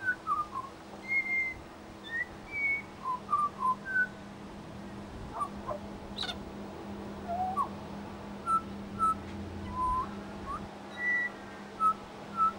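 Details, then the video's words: Pied Butcherbird mimicking local sounds in suburban Brisbane, Australia: scattered soft whistles and slurred notes, quieter and spaced out, against a noisy background hum with a brief sharp click. "AMAZING Pied Butcherbird mimicry"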